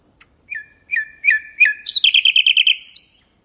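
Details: Nightingale singing as a tutor for canaries and goldfinches: spaced sharp notes with trailing flat whistles, then a quick, rhythmic run of repeated bright chirps and a closing flourish.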